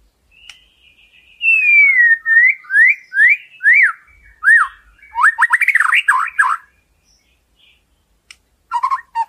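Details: White-rumped shama delivering a varied full song: a long downslurred whistle, a run of clear falling notes, then a rapid jumbled warble before silence and a final short burst.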